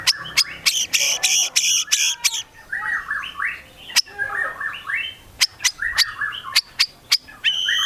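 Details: Medan white-rumped shama singing hard, its song packed with borrowed phrases: rough repeated buzzy notes followed by short warbled whistles, broken by loud snapping clicks.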